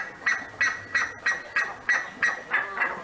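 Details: Pantanal buff-necked ibis uttering evenly spaced, sharp nasal honks, about three per second, each note short and ringing, over a quiet background.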